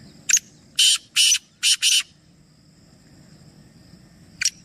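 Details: Black francolin, one of three, giving its grating call: a sharp introductory note, then four loud rasping bursts in two pairs, followed by a long pause and one more brief note, low hum beneath.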